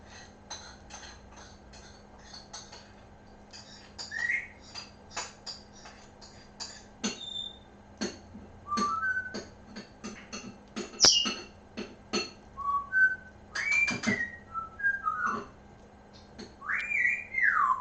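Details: A pet bird, Bibi, is most talkative at breakfast in the morning and sings a varied run of short whistles, chirps and clicks over a faint steady indoor hum.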